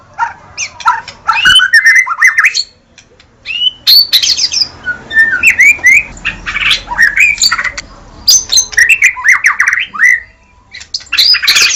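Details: White-rumped shama in full song with a rich, varied medley of clear whistles, upslurred notes, chattering trills and clicks, given in bursts separated by short pauses, with a faint low hum behind.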